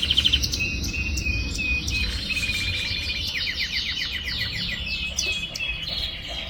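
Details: Young canary, still firming up its song, sings a varied high warble: clear whistled notes, then quick descending trills and rattling rolls in a continuous flow, with a low background rumble.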